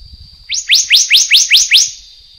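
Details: Black-naped monarch of the subspecies endemic to Taiwan calling: six bright rising whistles in rapid even succession, each sweeping sharply upward, with a continuous thin high-pitched drone behind and some low rumble before the calls.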